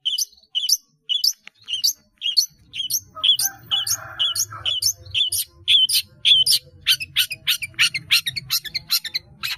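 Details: High, scratchy chip notes from a long-tailed shrike, repeated roughly twice per second and growing louder and denser, over a faint low rumbling background.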